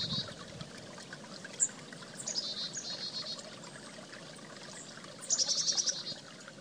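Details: Chickadee by a creek, mostly rushing water at first, then a rapid burst of about seven high, clipped notes near the end, with a single sharp note earlier.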